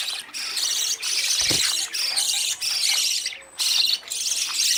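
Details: Budgerigar young running after adults for food at the age of leaving the nest; continuous squeaky, warbling high chatter in roughly one-second bursts, with one soft thud midway.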